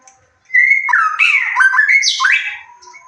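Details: White-rumped shama singing as a lure to heighten a caged bird's emotion and breeding urge so it replies. A loud, continuous phrase of clear whistles with sliding pitch jumps, rich warbles and a high buzzy flourish follows a brief silence.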